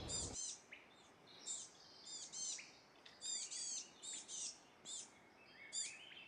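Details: Wilson's Warbler singing short bursts of high, bright chips about once a second in lush coastal forest at Elk Head Trail, Trinidad, California, on a foggy, cold morning, with other woodland birds calling thinly behind.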